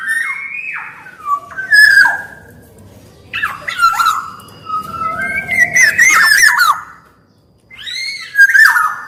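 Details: Kepodang (black-naped oriole) song: descending fluted notes, twisting whistled phrases and several grating, nasal calls in separate bouts, with a brief silence near the end.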